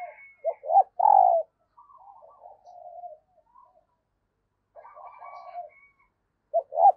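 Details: Cooing of a female dove, used to rouse males: short notes building to a long, loud, falling coo. Softer, quavering low murmurs follow before a new pair of short coos begins.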